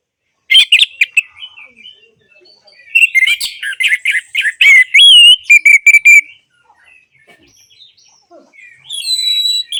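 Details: Orange-headed thrush song used to coax quiet birds back into singing. Two loud bursts of rich, varied notes and slurred whistles come with a quiet pause between them. A high whistled phrase ends the recording.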